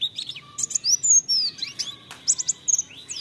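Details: White-eye lure song for stimulating singing: lively, high-pitched twittering mixing sharp ticks, sweeping slurred whistles and quick chirp clusters in an uneven, hurried rhythm.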